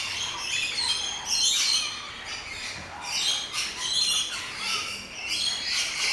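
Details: Rainbow lorikeets in a noisy flock in an aviary at an orchid farm in Luttelgeest, the Netherlands; dense, overlapping harsh high screeches and squawks rise and fall in bursts throughout.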